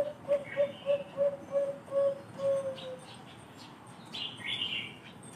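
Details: Bangkok zebra dove, kept for its special thick voice, cooing six quick, evenly spaced mellow notes that run into a drawn-out, slightly falling coo, followed by high twittering from other birds.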